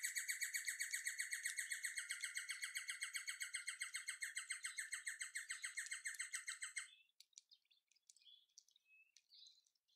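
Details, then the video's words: A Levaillant's Cuckoo calls on 16 January 2022, giving a long, fast run of loud, harsh, evenly repeated notes for about seven seconds, then a few faint scattered chirps. "Levaillants Cuckoo Calling"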